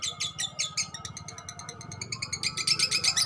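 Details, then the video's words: Ngekek song of a young balibu lovebird: rapid rattling chatter throughout, the pulses speeding up and growing brighter toward the end, over a low background rumble. "TERAPI SUARA LOVE BIRD BALIBU GACOR NGEKEK PANJANG"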